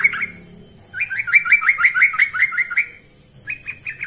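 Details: A yellow-vented bulbul training lure with a short opening note, then a long even run of rapid bubbly notes, and finally three quick chirps after a pause.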